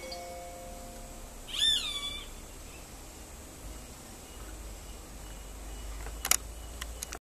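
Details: A roadside hawk (Rupornis magnirostris) calls with one high, nasal scream that slurs downward over about half a second, followed by quiet and a few sharp clicks near the end.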